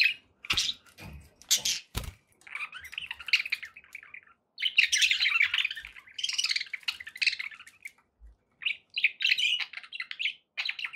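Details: Budgies kept at home chirping: sharp clicking ticks at first, then long stretches of rapid, scratchy warbling chatter broken by brief silences.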